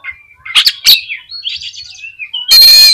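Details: Oriental magpie-robin song used to provoke other magpie-robins: a short whistle, two harsh chirps, a warbling wavering phrase, then a loud rasping, buzzy note at the end.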